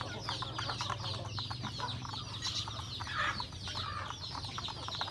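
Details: Home-raised chickens, including roosters and hens, eating breakfast in a rural yard: steady overlapping high peeps and softer mid-pitched clucks, with brisk pecking clicks and a low hum running through.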